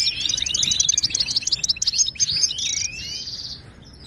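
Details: Moroccan goldfinch song for tutoring caged birds: a fast, tumbling run of bright twittering notes, then a drawn-out buzzy trill that fades away after about three seconds.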